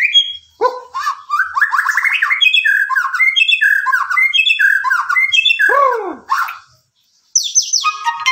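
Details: White-rumped shama delivering a long varied song of repeated rolling and slurred whistles, including a deep down-curved note, before a short silence and a few sharp high notes.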